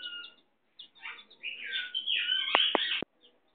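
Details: Domestic chicken, a hen with her chicks: short high chirps and peeps, some rising, run together in a busy burst, with three sharp clicks near the end.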